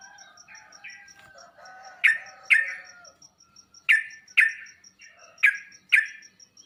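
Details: Sooty-headed bulbul played to make another bird reply and puff up: softer mixed chirps at first, then loud sharp falling notes in pairs, with a faint high ticking tone throughout.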